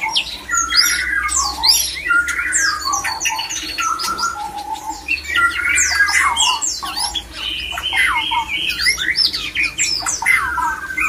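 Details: Several white-rumped shamas, including a male, singing to stir other shamas into breeding condition: dense overlapping whistles, rapid chatter and sweeping notes between mid and high pitch, with many phrases layered at once throughout.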